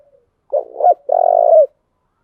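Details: Spotted dove decoy call used to lure and excite wild doves, in the thúc gù and gáy gọi styles: a short low coo phrase followed by a longer, steady, slightly pulsing coo that ends in a falling slur. Clean and quiet background.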